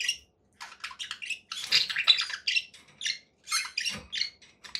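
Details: Conure parakeet chattering continuously, dense scratchy buzzy notes and squeaky chirps run together with short pauses.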